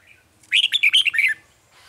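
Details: Red-whiskered bulbul song at a bird trap, 9 March 2020: a dense, energetic phrase of six or seven quick, bright whistled notes over a faint low hum.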